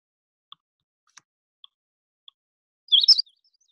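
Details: Magnolia Warbler, likely a male on migration (seen in May and September in any type of woods): after a few faint soft ticks, a brief, high, sweet three-part warbled phrase near the end, its song likened to 'sweet sweeter sweetest'.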